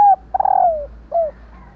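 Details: A female spotted dove's call, used to prompt males to coo back. A long falling coo begins with a rapid stutter, then a shorter downslurred note follows after a pause. The background is quiet.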